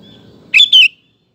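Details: Sooty-headed bulbul giving a crisp two-note phrase, the second note sliding downward, played to provoke other males into song; a faint thin whistle and low rumble precede it.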